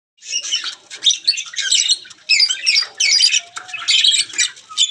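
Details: Guineafowl chicks give harsh, scratchy squawks in quick uneven bursts, high-pitched and noisy, around feeding.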